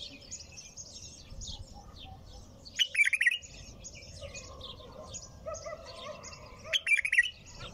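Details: Nonstop bulbul song with two loud, quavering phrases about four seconds apart. Fainter high chirps and twitters fill the gaps, with a low murmur underneath.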